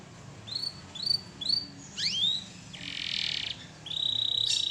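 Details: Canary gives a few high, sweeping whistled notes, then a short burst of hissing noise, ending in a thin, sustained high trill.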